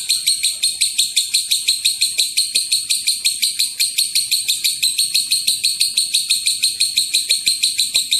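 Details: Provoking call of a lovebird in long ngekek style: a sustained chatter of about two dozen shrill, grating notes, close to three each second, running without a break.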